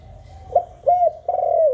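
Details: Spotted dove voice of the 'hạp bổi' type, used to stimulate captive doves: a soft lead-in, a short clear coo, then a longer steady coo falling at the end. A low hum is faintly present.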